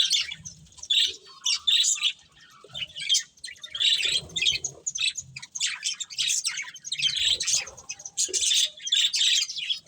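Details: Colourful budgies, a breeding pair, warbling in rhythmic high bursts of twittering chirps roughly every half second, with scratchy chatter and a soft lower murmur now and then.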